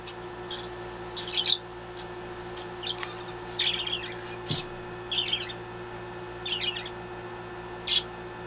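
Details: A pet budgerigar playing indoors gives short, scratchy chirping bursts about every second, some with quick warbled trills, over a faint steady household hum.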